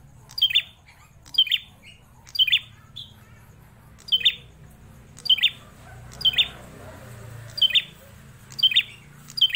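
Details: Persistent singing from a caged prinia, locally prenjak klawu, kept over four years: bright, explosive chirps spaced roughly a second apart, nine across the stretch, over faint low background noise.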